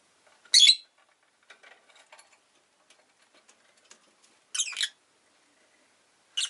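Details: Rosy-faced lovebird giving three loud, harsh, buzzy shrieks spaced several seconds apart, with faint scattered ticks and scratching between them.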